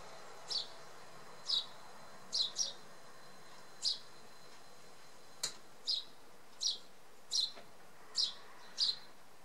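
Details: Eurasian tree sparrow in a hawthorn in Samara Oblast, Russia, in November, giving short, bright chirps, about ten in as many seconds at an uneven pace, with one sharp click partway through.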